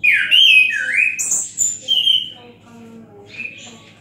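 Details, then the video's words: Relaxed Orange-headed thrush song in the "gazing at the sky" style: a loud, warbling opening of looping whistles and a high bright note. It then fades to soft, scattered notes and faint murmuring against a low hum. "Anis Kembang bunyi santai dengan gaya penampilan "MENATAP LANGIT"."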